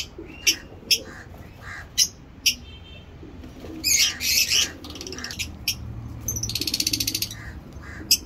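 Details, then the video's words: Sharp single chirps from caged breeding lovebirds tick out every half second or so, then a louder scratchy burst, followed by a fast buzzy chattering trill near the end. "Lovebird chirping"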